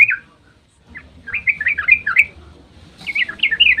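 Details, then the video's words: Yellow-vented bulbul dawn 'ropel' song meant to trigger other bulbuls to respond: a short whistled note, a pause, then bursts of quick bubbly, warbled phrases over faint low background noise. "trucukan GACOR ROPEL SUBUH PANJANG buat pancingan trucuk agar cepat bunyi"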